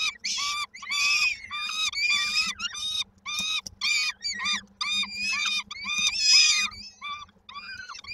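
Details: Peregrine falcon chicks begging at Koszalin, Poland, 19 May 2022, as they wait for the mother's food delivery; a string of short harsh squeals with strong harmonics, repeated several times per second with small gaps, plus a faint low hum.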